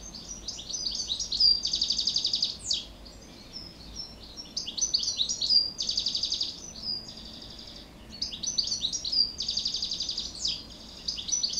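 Goldfinch singing in bright, rapid twittering phrases, with tinkling notes and harsh buzzy trills, repeated every few seconds over faint background hiss.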